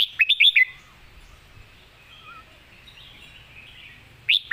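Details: A caged competition red-whiskered bulbul gives its clearly phrased 'master song': a rapid cluster of bright, bubbling whistles opens the recording, a quiet gap follows, then another brisk warbled phrase begins near the end.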